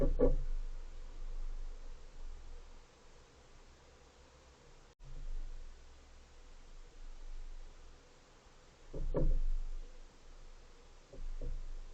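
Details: Low thumps and knocks, like a door or objects bumping, over a quiet hum, with no animal voice heard.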